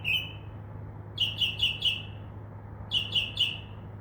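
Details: Mockingbird perched in a tree by a window at night, known here for imitating crows and doves' wings; a long note then quick runs of three to four chirpy, bright notes in rapid series, low hum underneath.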